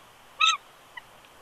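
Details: Incubating male bald eagle at Big Bear Lake, California, January 2020, whining while being coaxed off the eggs by his mate; one brief, loud, high squealing note followed by a faint short echoing peep.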